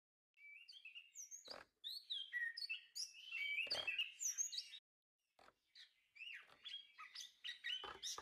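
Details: Chestnut-capped thrush (anis kembang) singing gacor-style as a tutor recording for songbirds: varied whistled phrases and high sweeping notes in bursts, with a short silent gap near the middle.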